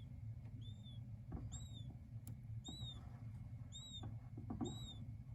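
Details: King quail chicks calling: five thin, high, arched whistled peeps, about one per second, each rising then falling, over a low steady hum and soft taps.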